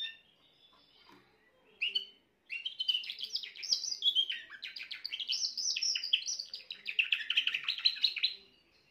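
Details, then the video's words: Spanish Timbrado canary, a young bird of this year not yet fully trained, recorded 14 June 2023. After a few short separate notes and a brief pause, it sings a sustained, fast, rattling trill that wavers up and down in pitch for about six seconds. "chant timbrado jeune de cette année"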